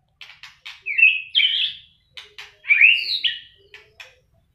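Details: White-rumped shama singing vigorously in fighting form while flicking its tail hard: dry clicking notes, then two loud, rich warbled whistle phrases with a brief pause between them.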